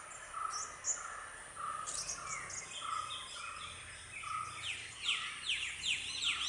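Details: Red-whiskered bulbul family at a nest on private land, a parent feeding two chicks. Short mid-pitched chirps repeat steadily, followed by louder, sharper rising chirps, with a constant hiss of insects behind them.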